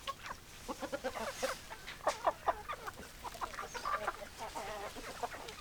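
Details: Hens and roosters clucking: many short stacked clucks in uneven bursts, a few sharper louder notes near the middle, several birds overlapping with steady background noise.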